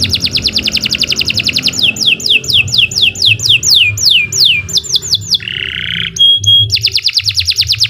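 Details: Canary song recorded as a master for training birds: a fast trill, then a run of loud downward-sweeping whistles, a short harsh buzzy note, and another rapid trill to finish.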